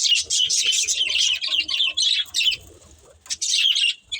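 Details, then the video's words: Pet budgerigars chirping in a family group: dense bursts of bright, scratchy twittering and warbles run almost continuously, with a short quiet gap near the end before the chatter resumes. "Cute Budgies Chirping Sounds"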